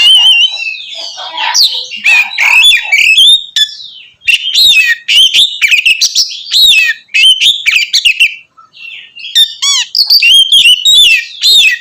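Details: Oriental magpie-robin pouring out loud 'ngeplong' song meant to stir other magpie-robins: dense, varied whistled phrases and scratchy trills, nearly unbroken, with a few brief pauses and a lone low whistle.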